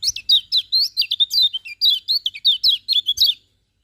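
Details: Lemon-bellied white-eye singing in the morning: a fast, unbroken run of high, sharp, twisting whistled notes, about twenty in under four seconds, then silence.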